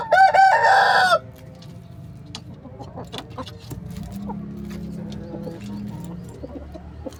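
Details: Rooster crowing in its coop, a 'keluruk' crow. One loud, harmonic-rich cock-a-doodle-doo lasts about a second, then comes a quiet stretch of faint clucks and low background noise.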